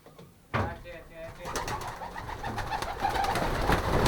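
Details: Racing pigeons in a young-bird loft during pairing, 2023 season, Pruszków section: after a sharp knock, a steady stream of soft, low, rolling coos builds up with a rustling background.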